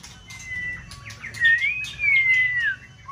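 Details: White-rumped shama, a caged contest bird in breeding season, singing a smooth wavering whistled phrase that rises, then slides slowly down.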